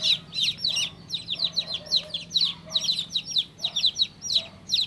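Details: Baby chick giving high, piping chirps in loose groups of two or three, downward-slurred notes with short pauses between groups, a low hum faintly audible.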